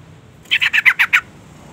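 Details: Female sooty-headed bulbul call used to lure and stimulate a male: a single quick burst of six harsh, buzzy notes in steady rhythm over a quiet background.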